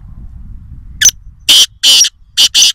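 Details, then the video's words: Wild black francolin, or kala teeter, from Nawabshah, Pakistan, delivers its full grating call: a short sharp note followed by four loud, harsh, rasping notes in quick rhythm, the last two closely paired. Soft low rumble underneath. "Kala Teeter Wild (Voice Only) | Black Francolin | Black Partridge"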